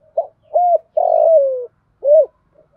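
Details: Spotted dove hen used as a decoy, calling to attract males: short note, arched coo, long rolling note sliding lower, then a single closing coo, clean and quiet.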